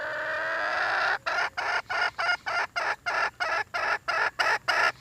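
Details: Red junglefowl hen calling for a mate. A sustained harsh tone gives way to rapid, loud, rasping bursts, about three per second, separated by short, clean gaps.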